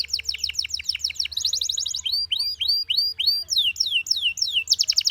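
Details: Rapid descending notes, a quick high trill, then looping hooked whistles and loud downslurs make up this Belgian canary's song, with steady low hum in the background.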